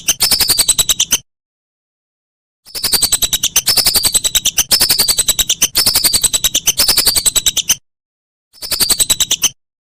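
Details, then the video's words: Whistling duck giving rapid pulsed calls with high thin whistles that slide down, in three separated bursts, intended as a tutor recording for songbirds. "Masteran Burung Belibis"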